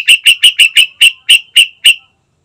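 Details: Sooty-headed bulbul, trucukan, used as a lure to make a bird sing quickly: nine sharp chirps repeated about every fifth of a second, evenly spaced, then silence.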